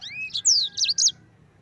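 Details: Brief fragment of yellow-fronted canary (sanger) ngerol song: a few loud, high, sweeping whistled slurs in under a second, then quiet.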